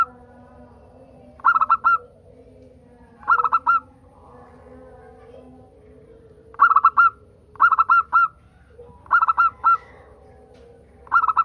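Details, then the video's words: Song of a local zebra dove, meant to coax other birds into singing. Repeated short bursts of mellow, ringing coos arrive at uneven intervals, about six groups in all, against a quiet background. "Pancingan perkutut agar bunyi"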